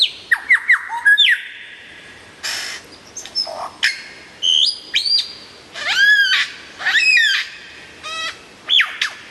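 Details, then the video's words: Lyrebird song, loud and clear, made of varied phrases: quick downward whistles, a long steady tone, buzzy bursts and arching upslurred notes, all mixed in a mimic-like medley. "suara burung lyrebird gacor buat masteran"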